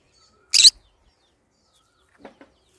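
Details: Pet green-cheeked conure giving a single harsh, buzzy screech lasting about a fifth of a second, followed by two faint, short chirps; otherwise quiet indoors.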